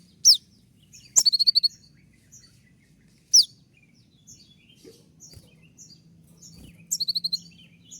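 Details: Konin in moult giving 'tembakan' shots: isolated sharp downward-swept whistles and brief rapid trills of four or five notes, spaced by quiet gaps, with faint low background hum.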